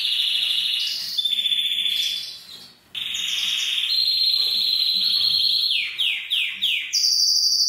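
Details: Male canary singing for females to stimulate mating: steady sustained trills at shifting pitches, a short fading gap, then long rolls and a series of four quick descending swoops before a high trill.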